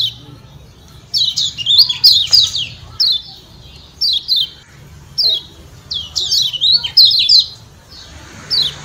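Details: Kecial kuning, the Lombok white-eye, calling with sharp ciak ciak notes meant to provoke other white-eyes into singing; high, downslurred chirps come in bursts and clusters with short pauses, over a low steady hum.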